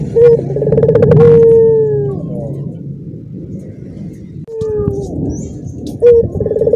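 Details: Caged Barbary dove with other doves joining in: a trill and long falling coo, a pause with noisy background and another faint falling note, then a new phrase begins.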